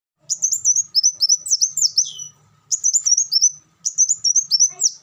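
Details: Kolibri wulung sunbird singing: high, thin twittering phrases of quick rising-and-falling notes, delivered in bursts of about two seconds separated by short pauses, with a faint low hum underneath.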